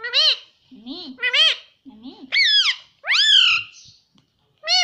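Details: Pet parrot talking indoors, imitating the words "mummy" and "papa": a run of clear, bending voice-like syllables with rising and falling pitch, in short bursts separated by brief pauses.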